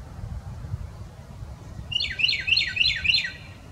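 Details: Carolina wren singing: after a quiet opening with low background rumble, five quick, loud, ringing phrases repeat in a fast run. Each phrase is a clear whistled note that sweeps downward.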